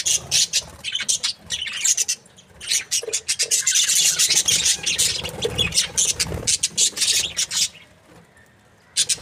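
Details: Budgerigar breeding pairs make a long run of rasping, high chirps and squeaky squawks, many birds calling at once, then thinning to a few scattered notes and near quiet at the end.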